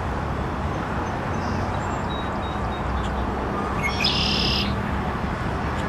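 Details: A singing red-winged blackbird gives one brief, raspy, buzzing trill partway through, set against a steady loud low-pitched rumble.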